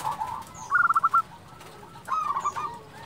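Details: Local zebra dove kept as a lure to draw replies from other doves: two short bursts of quick pulsed cooing notes, the first sharp and clear, the second softer, over a faint background hiss.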